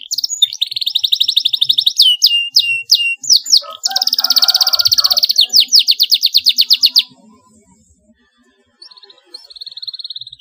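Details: Canary song for teaching young birds to sing: long rapid rolling trills and sharp chirps at high pitch, briefly overlaid by a low murmur, a short pause, then a renewed trill.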